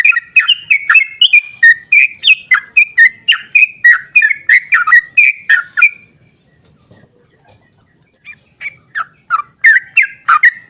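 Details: A sooty-headed bulbul delivers a long, emotional chattering song meant to make other bulbuls respond. Fast, bubbly chirps run for about six seconds, followed by a pause, then a renewed burst of quick notes.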